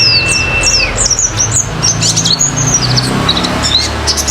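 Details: Lure song of the pleci (oriental white-eye), meant to set other birds singing: a long level whistle ending in an upward flick, then busy high twittering with quick slurred chirps over a low background hum.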